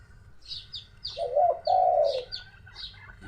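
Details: Dove cooing nearby at around one in the early afternoon on a hot day, lively and calling: two drawn-out, low, slightly wavering coo notes, with scattered thin chirps of other small birds above.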